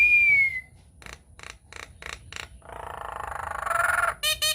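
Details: Nias hill myna lure song: a clear falling whistle, then five evenly spaced harsh bursts, a long buzzy rasp rising in pitch, and a final clipped ringing note.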